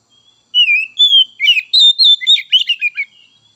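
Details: White-rumped shama phrase opening with long clear whistles, then breaking into a fast, varied series of chirps and warbled notes.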